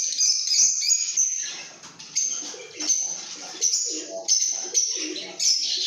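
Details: Piercing high chirps from lovebirds come in separate bursts roughly every half second to second over a background of scratchy twittering. A few lower, rougher notes sound between the bursts.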